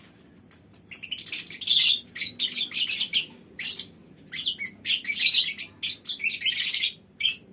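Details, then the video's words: Colony of lovebirds in a mini aviary giving a near-continuous stream of shrill, harsh chattering calls and long scratchy trills, calls overlapping as birds answer one another. "Suara Lovebird Koloni Bikin Burung Lain Ikut Ngekek Panjang"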